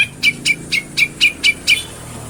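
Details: Grey-cheeked bulbul recorded in Bantul, Yogyakarta, giving seven short, bright notes at an even pace of about four per second, each with a crisp attack, over a low hum.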